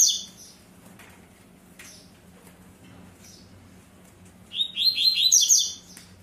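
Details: Double-collared seedeater kept by a breeder, tui-tui zel-zel song style: long near-silence with faint scattered chirps, then one loud, fast burst of rapid buzzy notes near the end, over a low background hum.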